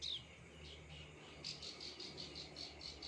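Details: Plain prinia song: a faint series of short, high buzzy notes, repeated about four times a second after an opening high note, over a low steady hum and soft background hiss.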